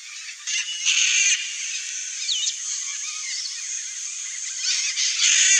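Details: Red-bellied macaw couple at their nest giving grating, raspy squawks, loud bursts near the start and end with softer chatter between, against constant high hiss.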